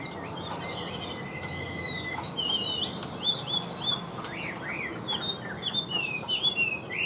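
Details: Tame caged Chinese hwamei: after a quiet start with a long level whistle, the song builds into rapid swooping whistled phrases with rising and falling slurs, some short dry clicks over low background hum.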